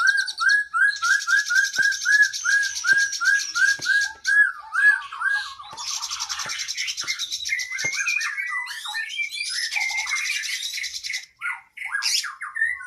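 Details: Oriental magpie-robin training song for cage birds with long imitated fill-ins. Short whistled notes repeat about three times a second beneath bursts of dense, high, buzzy trilling, followed by varied chattering phrases.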